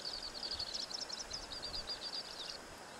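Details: Two-barred crossbill singing: a high thin phrase of rapid dry trilled and chattering notes lasting about two and a half seconds, over a steady broad background rush.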